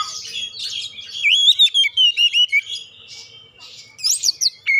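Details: Lure song of an oriental magpie-robin meant to get other birds singing: a rapid run of rising and falling whistled notes, then a quieter gap before a final burst of sharp high notes.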